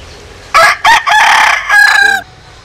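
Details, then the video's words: Vigorous crow of a Japanese × Cuban bantam rooster heard close up. Two sharp opening bursts lead into a sustained, buzzy, strongly harmonic phrase and a quavering final note over near silence. "Gà Tre Jap Cuban Tiếng Gáy Rất Sung"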